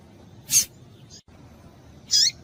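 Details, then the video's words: Female double-collared seedeater giving calls meant to excite males; two loud, high, sharp notes about a second and a half apart, the second ending in a falling tail, with a faint soft note between. "fêmea de coleiro quente para esquentar coleiro"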